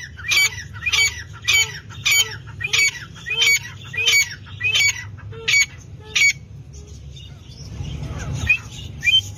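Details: Dhakni tetar, a partridge, uttering a steady series of about ten sharp, squeaky, grating calls spaced roughly every two-thirds of a second, then falling quiet apart from softer rustling and faint later notes.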